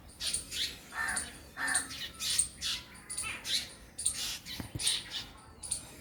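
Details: Black drongo giving harsh, rasping notes repeated about twice a second, with a few lower nasal notes, and a squirrel calling too, whose chattering may be mixed in.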